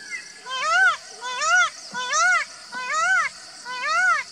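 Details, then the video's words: Indian peafowl giving five loud, nasal, wailing calls that rise and fall, roughly one every three-quarters of a second, over a steady high hiss. "Indian Peafowl Calling"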